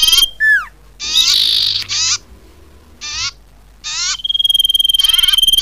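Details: Common iora lure call used for trapping birds: bursts of buzzy, harmonic-rich notes and falling slurred whistles, with a long steady high whistled tone near the end and short gaps between phrases.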